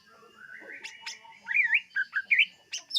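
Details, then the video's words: Greater green leafbird song used to lure birds: quiet opening, then loud warbled whistles sliding up and down in quick rising and falling phrases, with a sharp high note near the end. "SUARA BURUNG CUCAK IJO UNTUK PEMIKAT"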